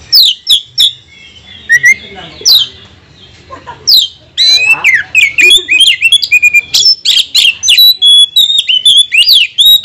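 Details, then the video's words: Singing Oriental magpie-robin, its song used to provoke other birds: a few scattered sharp notes, then from about four seconds a dense, fast run of loud whistles, chips and rising buzzy phrases. "Kacer mana yang tak mau Konslet dengar pancingan suara kacer ini"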